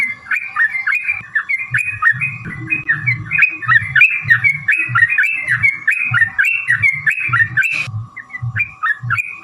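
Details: Rapid, continuous bulbul song from a trucukan, played to provoke other birds into singing: short gurgling phrases repeat several times a second, with a faint low hum beneath and a brief break near the end.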